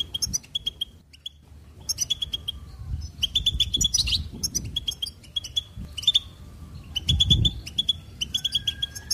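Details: Goldfinch song: bursts of bright, tinkling twitters and clipped chirps, many short notes in quick runs separated by brief pauses, over a steady low rumbling background.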